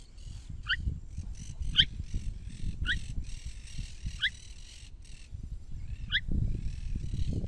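Crested oropendola giving short, bright, liquid notes about once every second, over a buzzing insect chorus and a low rumble of wind.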